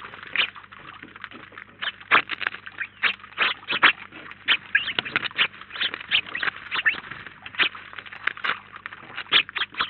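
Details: A busy flock of house sparrows at a feeder in Collado Villalba, Spain, nineteen birds at once, chatters with rapid, crowded chirps for ten seconds, the calls coming in irregular bursts every fraction of a second.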